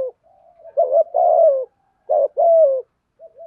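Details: Spotted dove's 'giọng thổ' coo: faint soft notes, then two strong phrases of a broken opening and a long, downward-sliding hoot, ending with a quiet short note.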